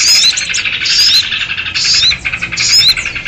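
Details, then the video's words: Agitated sooty-headed bulbul chatter played as a trapping lure for small birds: raspy, dense phrases with bright rising whistles, about four bursts in quick succession. "SUARA PIKAT BURUNG RIBUT || KUTILANG RIBUT || UNTUK PIKAT BURCIL"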